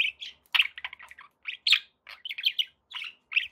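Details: Pet budgerigars give clear, bright chirps and short warbled notes in quick clusters separated by brief gaps.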